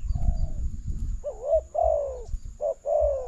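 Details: Spotted dove singing while being lured with a decoy into a new trap: a short soft note, then a pause, then three drawn-out husky coos that dip and bend in pitch, against low background noise.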